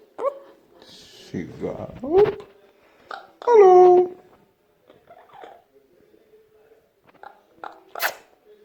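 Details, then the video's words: Indoor pet Amazon parrot, nine months old, imitating human coughing and speech: varied voice-like syllables, a long tonal harmonic call in the middle, then scattered soft clicks and a brief sharp burst near the end. "Amazon Parrot Coughing & Talking like human"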